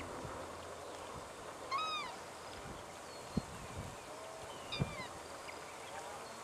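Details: Banded stilt in Victoria, Australia, September 2011: two loud, mewing, yelp-like calls about three seconds apart, each a slurred note rich in overtones, with fainter bird calls, a few thumps and soft wind behind.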